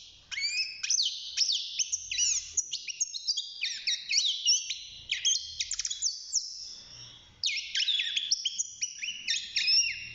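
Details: Young caged European goldfinch, six months old, starting to sing in a cage; fast twittering song of bright, high chirps and buzzy trills in dense bursts, with a short pause near the middle before the stream resumes.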